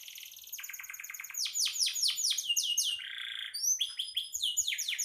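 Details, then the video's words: Singing canary, recorded as training material for songbirds: fast rolled trills of descending sweeps changing into buzzy and whistled phrases, high-pitched and continuous with no other sounds. "Suara burung kenari gacor"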